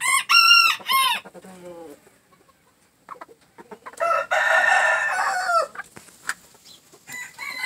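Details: Green-legged red gamefowl alongside a jumbo pheasant: loud repeated ringing squawks with clear arched harmonics, a quiet gap with soft clucks, then a long raspy crow, followed by a few scattered clucks.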